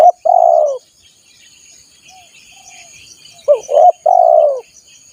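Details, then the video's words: Lure recording of a spotted dove for drawing in wild birds: the tail of one long purring coo, a pause, then a full phrase of two quick rising notes and a lengthy mellow coo, faint insects behind. "SUARA PIKAT BURUNG TEKUKUR PALING AMPUH || PANCINGAN TEKUKUR LIAR"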